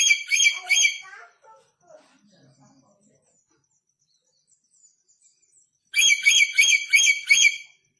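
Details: Red lory, newly arrived from North Maluku and still aggressive, giving loud harsh grating screeches in rapid pulsed bursts of about three or four notes, with a quiet gap between the bursts.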